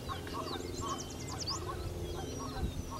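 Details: A Henslow's Sparrow singing in Goose Lake Prairie gives one brief, very high, insect-like hiccup of rapid notes, over a steady low rumble and some lower mid-pitched sounds from other birds.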